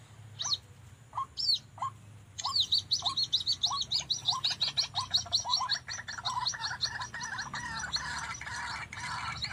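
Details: White-breasted Waterhen (ruak-ruak) calling in the afternoon beside a house wall during trapping with a live decoy bird and hanging snare; two birds came, one male was caught. Separate rising notes quicken into a dense, continuous, repeated chorus of harsh calls.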